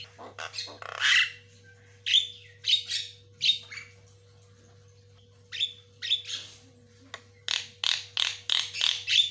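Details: White-rumped shama in fast lure and master-training song with birds answering each other: bursts of harsh chattering notes and short whistles in clusters, a quiet gap mid-clip, then rapid repeated phrases, over a steady low hum.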